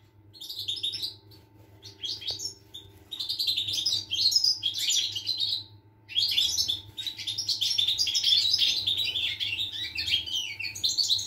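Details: European goldfinch singing, recorded 25 August 2021: long, rapid, liquid twittering of high chirps and trills running in fluent phrases with a short break partway, a constant low hum underneath.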